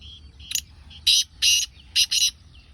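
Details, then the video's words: Black francolin (kala teetar) calling in a village setting: five harsh, scratchy, high-pitched grating notes in about two seconds, a short first note, two longer rasping ones, then a quick close pair, over a low background hum. "Kala Teetar ki Bolai"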